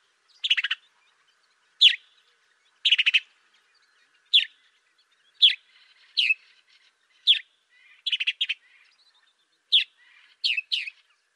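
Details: A sparrow recorded in Africa gives short, bright chirps, singly or in quick doubles and triples, about once a second. The background is quiet.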